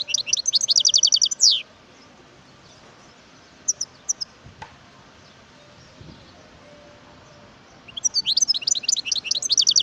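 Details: Wild European goldfinch singing in two rapid twittering bursts of tightly repeated high notes, each about one and a half seconds long. A long quiet gap with a few scattered chirps separates them, over steady background noise.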